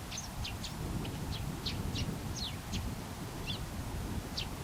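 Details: Eurasian tree sparrow recorded up close while calling alone, uttering crisp, high chirps in an uneven sequence with short gaps, some falling in pitch, against steady low-pitched background noise.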